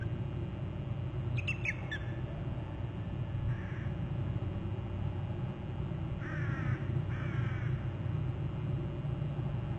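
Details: Eagle trilling at its nest territory on Hornby Island on July 31: a quick burst of high, falling chips, then later two short, wavering, chattering phrases, all over a constant low background hum.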